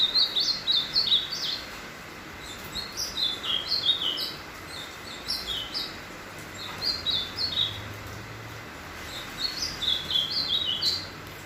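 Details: Ultramarine grosbeak, called azulão, finishing its moult and singing: short phrases of sweet whistled notes that rise and fall, delivered in three bursts separated by brief pauses, over a steady background hiss.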